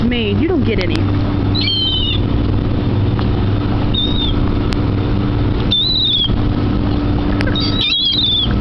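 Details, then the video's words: Gulls at a waterside dock where many gather to be fed: a handful of separate thin, slightly falling mewing calls spaced a few seconds apart, set against a steady low rumbling hum. "Seagulls at the Dock (Beware the Annoying Sounds!)"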